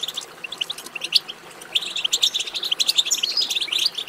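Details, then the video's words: European goldfinch song meant to spur goldfinches into singing: scattered high chirps build into a dense, rapid run of bright, tinkling twitters and liquid trills over the second half. "بتبتة ماهرة في تحفيز الحسون على التغريد"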